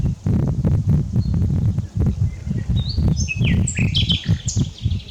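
Common nightingale song: a quick burst of high, rich whistles and sharp rising sweeps in the last two seconds, over a heavy low rumble of wind.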